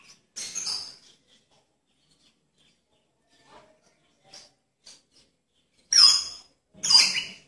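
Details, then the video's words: White-rumped shama (murai batu) giving three loud, harsh, rasping "tembakan" bursts spread over several seconds, with softer faint notes between them. "Tembakan Murai Batu"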